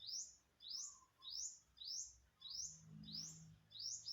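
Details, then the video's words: Unknown bird, recorded September 27, 2022, giving bright rising chirps at a steady pace of roughly two per second, each a quick upward sweep; a faint low hum appears briefly midway. "Successfully Recorded the Bird Sound"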